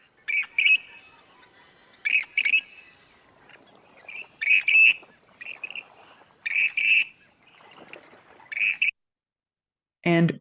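Western Grebe giving harsh, high, grating two-part "creeet-creeet" calls, repeated about every two seconds over a quiet background; a brief, different sound ends the recording.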